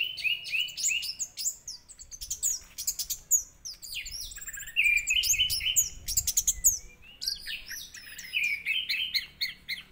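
Orange-headed thrush pouring out a rich, fast song of clear high whistles, trills and scratchy chattering phrases, nearly continuous with brief pauses; no other sounds.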